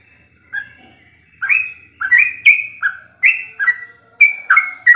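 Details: A sooty-headed bulbul sings as master training material for captive birds, opening with a faint note, then a rapid series of short warbled whistles, rising and dropping, delivered in quick bursts.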